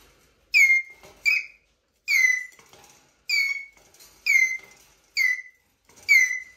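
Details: A Eurasian jay giving plaintive, squeaky downslurred notes, about seven in a row, spaced roughly a second apart; otherwise quiet.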